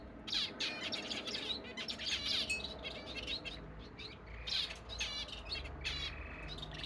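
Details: A Fife canary hen, busy building her nest, sings a fast, continuous run of high chirps, trills and rolling notes, bright and varied, over a low room hum.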